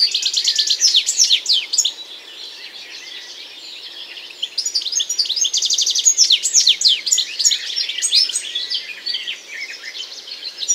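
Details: European goldfinch song, a fast, lively jumble of high tinkling twitters and buzzy trills, pouring out in dense bursts with a brief quieter stretch midway.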